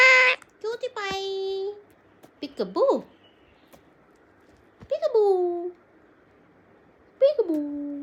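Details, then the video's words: A pet rose-ringed (ring-neck) parakeet talks in short, high, nasal word-like phrases such as "mummy" and "love you", about four bursts over eight seconds with quiet gaps between them. "TALKING PARROT"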